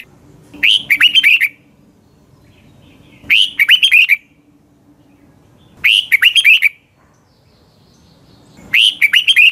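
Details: Red-whiskered bulbul singing in the morning, a recording meant for training other bulbuls: short bursts of rapid whistled, warbling notes, about four phrases in ten seconds with quiet gaps between them.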